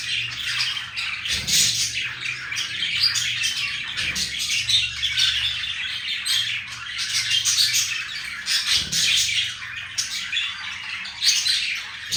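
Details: Pet green male budgerigar flirting with a female budgie: steady rasping, twittering warble running without a break, with a few soft low thumps in the background.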